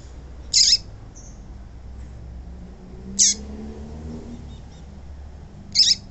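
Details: Papa-capim female giving her piado, a call said to stimulate males into singing: three short, high, sharp notes with a slight downward tail, spread roughly two and a half seconds apart, amid faint steady noise.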